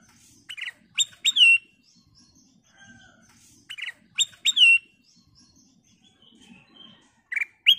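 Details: Ruby-throated bulbul singing as a lure to get other birds singing: sharp, bright whistled notes with sweeping ends, grouped in threes, the pattern repeated twice across the recording over faint background noise.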